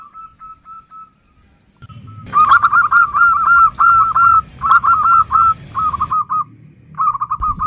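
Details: Female zebra dove calls a male with the nutut sound. Faint evenly spaced notes lead into loud, fast clusters of short hooked coos in separate bursts, over a low background rumble.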